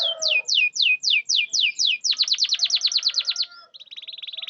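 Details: Canary lure song for silent birds: slow falling whistled sweeps, then a fast run of rapid clipped notes, ending in a quieter buzzy trill.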